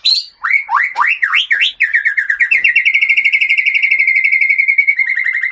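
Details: Captive white-rumped shama from Aceh, its stock wild-caught in the Gunung Leuser mountains of Sumatra, sings a run of five quick rising whistled sweeps, then a long, fast, even trill on one steady pitch lasting about three seconds.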